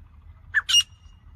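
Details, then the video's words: A single loud, grating two-note call of a grey francolin, a brief first note followed at once by a stronger squawk, against quiet background rumble. "non stop calling grey Francolin"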